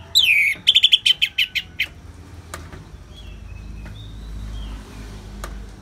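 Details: Orange-headed thrush (anis merah) giving ngeplong song, used as therapy alongside natural rain: a loud falling whistle, then a rapid train of about eight bright repeated notes that fade away, leaving a soft steady background hiss.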